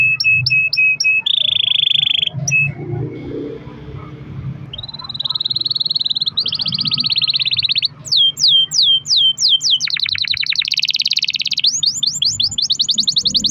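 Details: Pet canary delivering a long rolling song, used as a lure to prompt other canaries to sing: fast high trills, short repeated slurred notes, a buzzy rolled phrase and a brief pause, then downslurred whistles and dense rattling rolls.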